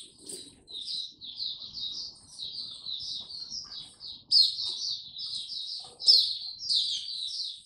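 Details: White-eye, young male, 9 February 2022: softer, somewhat distant-sounding thin twittering phrases that grow louder in the second half, with a few sharp, bright bursts near the end.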